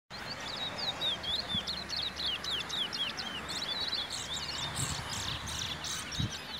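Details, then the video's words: Chestnut-bellied seed finch (Trini bullfinch), brown bird, at the Naparima bird show in Trinidad, 2018, sings a fast, continuous warble of high sliding twitters and chirps over steady crowd and outdoor noise. "Trini bullfinch"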